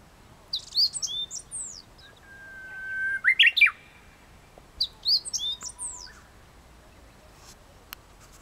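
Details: Japanese bush warbler singing at 7:56 in the morning on 1 May 2017 at Lake Tanuki, Fujinomiya: a long steady whistled note followed by a quick rising, warbled flourish, among sharp high chirps and trills from other birds.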